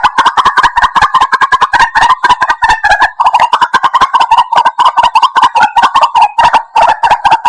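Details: White-breasted waterhen call played to lure birds for trapping; a long, fast rattle of coarse clucking notes, densely packed and steady in pitch, running throughout with brief dips.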